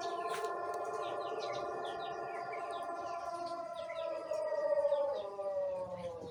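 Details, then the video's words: Young Indonesian Pelung rooster, morning, one month into learning its crow: a long, drawn-out, slowly falling harmonic crow fills the whole stretch while small birds twitter faintly in the background. "Suara Pelung Jejangkar baru suara 1 bulan"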